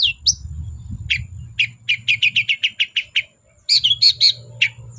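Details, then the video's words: Long-tailed shrike in full song, played to encourage reluctant shrikes to sing: high slurred whistles followed by a steady string of about twelve short sharp chirps, ending with warbled high notes over a low background hum. "BURUNG CENDET GACOR DOR PANCINGAN CENDET MALES BUNYI"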